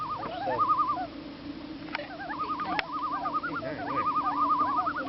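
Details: Common loon on Squaw Lake in Wisconsin giving a wavering tremolo call, fast quavering phrases repeated over and over at a steady mid pitch, with a soft hum of background noise and a few faint clicks.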